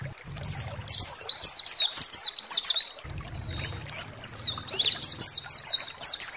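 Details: Pleci (white-eye) singing to provoke rival birds into song: continuous energetic high warbling of slurred, zigzag notes over a low background rumble that comes and goes.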